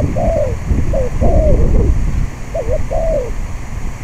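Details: Spotted dove singing on a blustery day at a decoy trap: three crisp phrases, short note then longer sliding croo, delivered in quick succession, backed by constant low wind noise.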